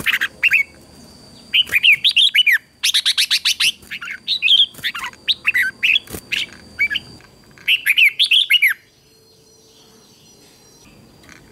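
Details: Training recording of a red-whiskered bulbul in competition singing: dense bursts of rapid chirps and lilting warbled whistles for about nine seconds, then quiet with only a steady high tone.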